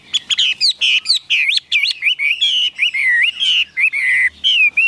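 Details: A tame Chinese hwamei kept in a cage sings energetically. Clear whistled phrases loop and warble in rapid succession, some notes sweeping high and others gliding lower, with brief pauses between bursts.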